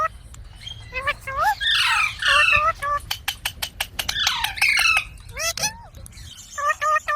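Rose-ringed parakeet giving harsh, grating squawks in two bursts, broken up by short rising whistles and sharp clicks at a quick, uneven pace.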